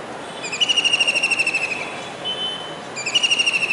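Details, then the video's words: Calling kingfisher on a rooftop dish antenna in Surat, Gujarat, rainy July 2019: a rapid high rattling trill of about a second and a half, a pause, then a second trill starting. "Kingfisher Bird's Voice"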